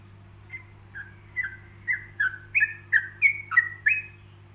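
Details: Tutor song of a yellow-vented bulbul in relaxed ropelan style with gaps between phrases. Soft scattered notes build into a louder chain of about a dozen whistled, downslurred syllables, backed by a constant low hum.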